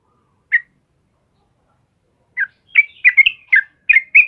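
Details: Morning song of a yellow-vented bulbul, 'kebo' type, in full voice: one bubbly note, a gap, then a quick series of about seven liquid, gurgling notes at a steady pace.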